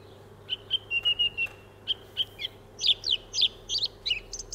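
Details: Song thrush (Turdus philomelos) singing, repeating a clear, high whistled note five or six times in quick succession, then sharper, varied chirping phrases, mixing in other birds' sounds; a faint low hum underneath.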